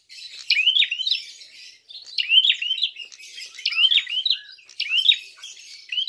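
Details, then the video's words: A prinia kept as a fighting bird sings vigorously, used as a lure song: bursts of sharp, high, rapidly repeated chirps, a new burst roughly every one and a half seconds, with no other sounds. "Prenjak tarung gacor"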